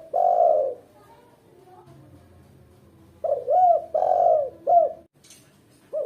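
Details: Female spotted dove, kept as a lure and master bird for novice trainers, gives a long low coo, then after a pause a run of short looping coo syllables and a final note, with a faint hum behind.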